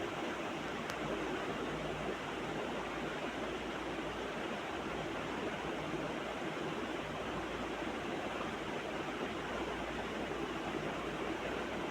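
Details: Steady broadband rushing noise like running water or a stream, with no animal calls heard.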